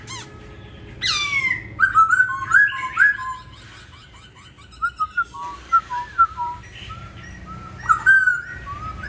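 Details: Masked laughingthrush song in the "Bắt cô chói cột" style. After a sharp rising note, rich whistled phrases come in short bursts separated by pauses. Later bursts are clear, ringing whistles mixed with rougher notes.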